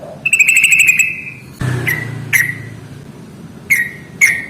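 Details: Yellow-vented bulbul in ngalas fighting-style song, used to trigger singing in quiet birds: a fast rattling trilled whistle, a dull thump, then scattered single sharp whistled notes.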